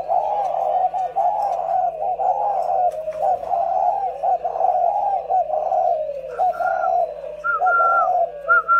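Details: Two caged spotted doves kept for calling: low, continuous, rolling cooing phrases repeated nearly once a second, with a higher thin whistle joining near the end and a steady electrical hum beneath.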